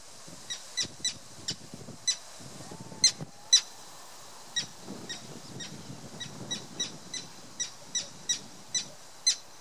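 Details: Common terns defending their chicks on Tatyshev Island in the Yenisei River, Krasnoyarsk, Siberia, in June 2016: sharp high calls repeated roughly twice a second, uneven in rhythm, over low rumbling background noise.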